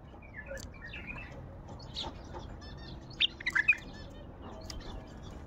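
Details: Song of a wild bulbul described as Baghdadi: scattered faint chirps, then a clear cluster of four quick, mellow, whistled notes in the middle, fading back to soft background noise.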